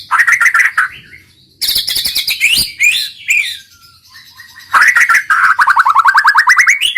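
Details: White-rumped shama singing 'roll tembak': fast warbles, a dense burst of high chattering, scattered soft notes, then a long rapid trill that climbs steadily in pitch.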